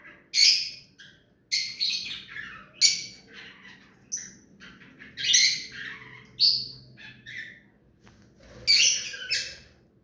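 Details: Hand-tame ring-necked parakeet kept as a pet, repeatedly squawking: loud, harsh, noisy bursts about every second or two, some with short chattering tails, over a quiet background.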